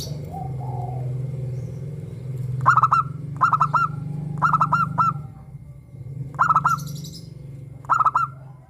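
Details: Local zebra dove singing in the morning, several birds calling: five stuttered cooing phrases, each a quick run of clipped notes ending in a short rolled coo, separated by pauses, over a low steady hum.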